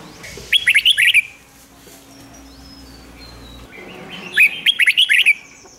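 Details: Caged red-whiskered bulbul song played to excite other caged birds: two rapid runs of five or six rich, warbled notes, about three seconds apart, with thin high whistles and soft chirps in between.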